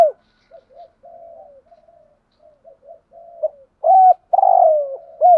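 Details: Spotted dove used as a decoy: a run of soft, low murmured notes, then three loud, harsh, slurred coos close together at the end.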